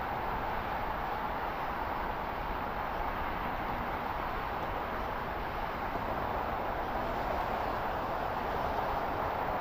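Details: Dense, even broadband rumble like distant traffic or machinery runs throughout without pause, and no calls stand out.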